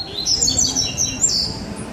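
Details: Dense, high twittering phrase from a Double-collared Seedeater, one of two birds singing in baderna style, with rapid looping slurred notes filling most of the two seconds.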